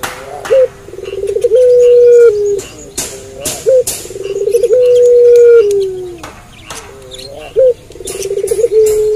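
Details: Puter pelung dove performing at night: two long phrases of fast pulsing coos that flatten into drawn-out steady notes sliding lower, with short hooked notes in between and faint clicking in the background.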